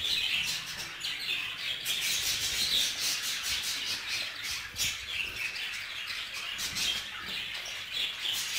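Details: Budgerigars kept together, the male jealous over the female: harsh squawks and high chirps repeated in quick irregular succession over a constant background twitter.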